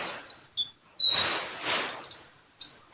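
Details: Sunbird (kolibri) in lively song, with clusters of piercing high chirps, a short flat whistle in the middle and a fast rattling run of shrill notes before brief closing chips.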